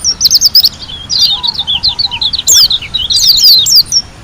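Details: White-eye from Lombok in vigorous, wild-style singing with showy bursts: rapid high, thin chirps and sweeping down-slurred whistles, tumbling in quick runs, with a soft low trill underneath.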